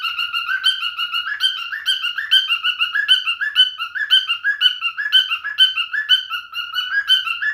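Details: Male cockatiel sings a chattering run of bright whistles, steadily repeated with small pitch bends and occasional harsher squawky edges. The notes come at a brisk, even pace.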